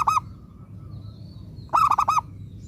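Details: Local zebra dove singing lively as a lure bird meant to draw replies from other zebra doves: a brief rapid coo burst at the start, then after a pause a rolling phrase of about four quick, mellow cooing notes, over low background hum.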